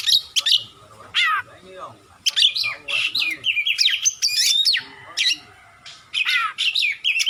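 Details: Oriental magpie-robin, called kacer, singing long and energetically as training material for reluctant singers: dense mix of buzzy trills, down-slurred whistles and sharp chips, with brief gaps between bursts.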